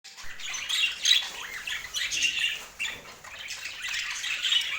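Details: Budgerigars tasting healthy food, giving a continuous warbling chatter of squeaky, scratchy notes with brief sharper chirps, steady and busy throughout with no other sounds.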